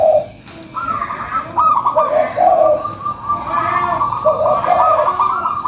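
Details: Local zebra dove lure song, full and busy: rippling high trills alternate with shorter lower coos in quick succession, continuing almost without pause as overlapping phrases run one into the next.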